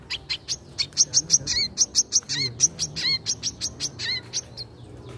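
A wiceh gives rapid, high sharp chirps, three or four a second, mixed with lower downslurred notes, against a faint low hum.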